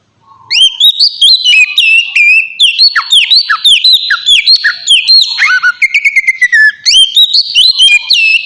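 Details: Oriental magpie-robin lure song to make rival birds respond: continuous loud, dense warbling of whistles, sharp upslurs and rapid chirping notes, with no pauses throughout.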